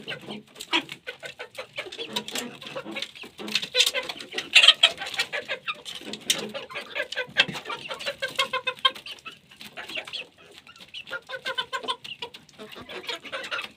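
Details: Chickens feeding, soft repeated clucks and short higher trilled notes amid continuous light pecking clicks.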